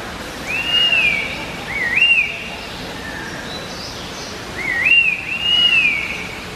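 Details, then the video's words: Several Red-winged Laughingthrushes (Trochalopteron formosum) sing to one another with clear, arching whistles: short phrases of a quick rising-falling note and a longer slurred one, over faint hiss. "Red-Winged Laughing Thrush Singing"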